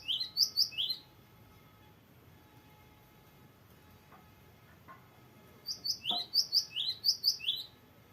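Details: Cinereous tit, a constantly singing bird giving a long, varied rolling song used for tutoring or prompting other birds: two bursts of paired notes, a high whistle dropping to a lower slurred note, repeated quickly, with a quiet pause between.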